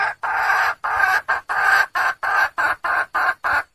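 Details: Female red junglefowl calling for a male: a loud, harsh, broadband cackle of short bursts repeated rapidly, about ten in under four seconds, with brief silent gaps between them.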